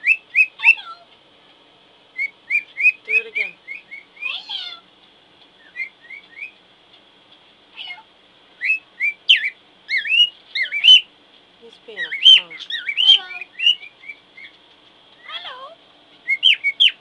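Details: A 10-month-old male pet cockatiel shows off on his play gym, chattering bright whistled chirps and warbled, speech-like phrases. He can say "hello" and "pretty bird".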